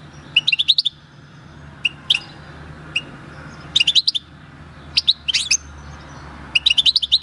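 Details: European goldfinch caught wild at El Paso in 2018 sings its natural field song on 22 March 2020: clusters of rapid, high, tinkling chirps with scattered single notes between phrases.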